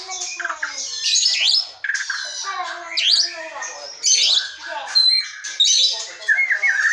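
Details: Wild forest white-rumped shama, recorded as a lure to make silent or young shamas sing, delivers a dense, fast, varied song of harsh chattering notes, sharp upslurs and high squeaky bursts in quick succession.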